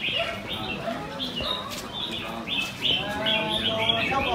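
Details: At a singing competition held on a Sunday morning in Quy Nhơn, Vietnam, 21 June 2020, caged red-whiskered bulbuls deliver short bright whistled phrases, one after another, over low talk from the surrounding crowd.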